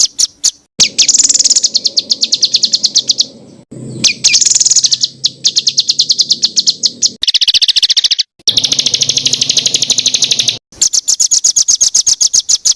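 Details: Songbird song for training caged birds such as magpie robin, green leafbird and white-rumped shama, full of varied fill notes: rapid high trills and repeated sharp chips in long bursts, broken by brief pauses.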